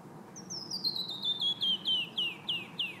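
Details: Male canyon wren singing at Red Rocks Park, Morrison, Colorado, on 13 March 2015: a cascade of about a dozen clear whistled notes tumbling steadily down the scale, slowing into slurred downward notes at the end.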